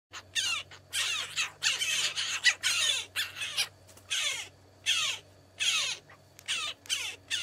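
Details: An endangered Mariana crow (Corvus kubaryi), from the release programme into the forests of Rota island, gives harsh, raspy squawks, roughly one burst per second, some with a falling sweep, over a steady low hum.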